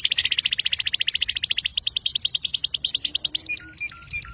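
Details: Canary singing a fast rapid trill of bright repeated notes, about fifteen per second, then a higher buzzy trill and a few separate whistled notes with slides.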